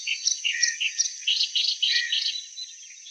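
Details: Clamorous reed warbler giving rapid, uneven chattering phrases of harsh notes and squeaky whistles, fading toward the end.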